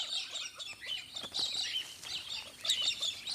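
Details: A flock of galahs in Australia gives a busy, overlapping chatter of high, harsh chirps and screechy notes, several calls a second with no steady rhythm.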